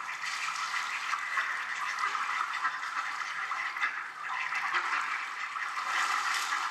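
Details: A steady rushing hiss like running or flushing water fills the recording, with no clear animal calls.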